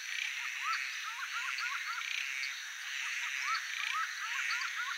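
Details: Laughing falcon, known in Brazil as acauã and held in folklore as a bird of bad omen, gives rapid runs of short hooked notes in quick bursts over a steady high insect hiss.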